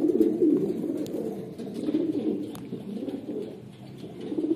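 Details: Red Lahore Siraji pigeons coo steadily in low, throaty, rolling phrases that overlap almost without pause. The sound is muffled and close, as if indoors.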